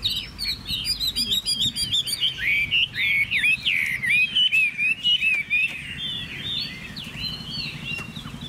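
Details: Chinese hwamei pouring out a long, varied song of swooping, slurred whistles and quick trills, loud and continuous for most of the phrase, fading to quieter warbles at the end.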